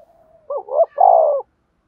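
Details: A spotted dove's call for training decoy birds: faint lead-in, then a rapid wavering note followed by a strong, steady drawn-out coo lasting about half a second before stopping abruptly.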